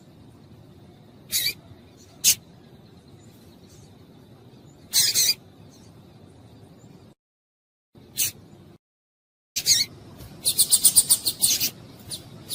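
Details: Calling female double-collared seedeater used to excite males: isolated sharp high chips at irregular gaps, a brief dropout of sound, then a rapid rattling series of clipped notes.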